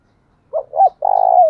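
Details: Decoy spotted dove giving one cooing phrase to provoke wild doves: two short rising-falling notes, then a long vibrating coo sliding gently downward.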